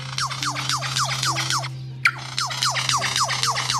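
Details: An Australian lyrebird mimicking a laser gun: rapid, falling "pew" sweeps, about four a second, in two runs broken by a sharp click, over a low steady hum.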